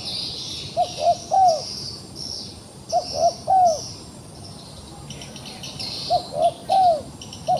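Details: Caught in a trap but still fighting, a wild pigeon gives three-note cooing phrases, two short soft notes then a longer falling one, repeated about every two and a half seconds amid high insect drone.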